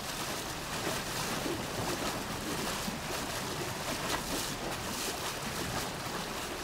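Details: Constant loud rushing of wind and lapping water, like waves or a boat moving across the surface, with no animal calls.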